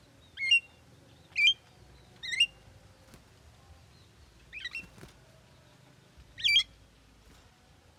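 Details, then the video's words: Javan myna said to talk: a series of quick, warbled, squiggly notes with bright harmonics, irregularly spaced about one to two seconds apart, plus a faint clack, in a quiet setting. "JALAK KEBO BISA NGOMONG"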